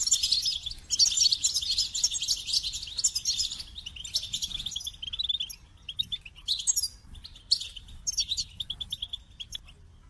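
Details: Goldfinch opens with an intense burst of high, tinkling twitters and buzzes, then continues with shorter chirpy phrases and quieter gaps.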